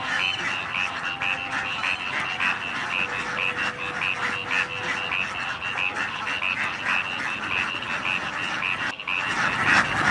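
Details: Thousands of ducklings returning to their pen after time in the rice fields, swimming through field water: a dense, constant chorus of rasping calls, many voices overlapping, with faint speech.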